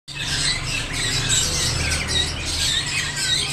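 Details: Rainbow lorikeet pair giving a constant, shrill, screechy chatter of overlapping high notes with no pauses, over a low background hum.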